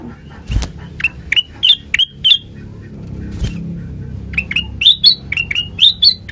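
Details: Sooty-headed bulbul song meant as a lure for other birds: spaced whistled notes, several sharp clicks early, then a lively run of rising-falling whistles near the end over low background hum.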